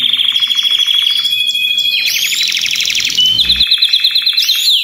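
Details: Group of Belgian canaries singing at the same time, used to stimulate other canaries; rapid buzzy rolled trills, a rising sweeping phrase midway, and clipped pulsed notes repeated several times per second toward the close.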